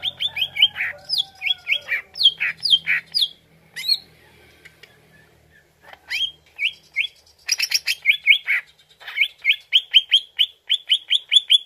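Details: Greater green leafbird song played as a lure to make the bird answer: bright, rapid chirped phrases, a pause with faint low hum, then long series of fast repeated sharp notes.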